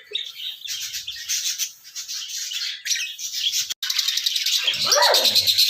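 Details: Pet parrot calling in a raw, unedited recording: dense, harsh high chirps and screeches run almost continuously, with brief pauses and a lower, rough squawk near the end.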